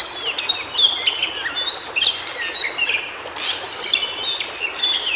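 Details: White-browed shortwing, known locally as cingcoang biru, singing in its natural habitat in Indonesia: a rambling run of quick high warbled notes and short slurred whistles, with a steady hiss of background noise.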